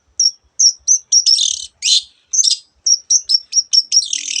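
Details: Long-tailed shrike song full of other birds' voices: clear, high, thin whistles repeated several times, broken by loud buzzy rasps, then more quick whistles and a final scratchy trill.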